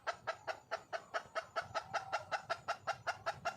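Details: Wild red junglefowl hen calling for a male: a steady run of short, hoarse clucks, roughly two to three per second, evenly paced and sustained throughout.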